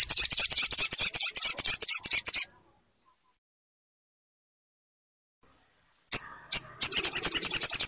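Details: Crimson sunbird, a kept bird, used as a tutor to set a silent bird singing: a rapid, high, shrill twittering run of over two seconds, a long pause, two sharp chips, then the fast trill starts again.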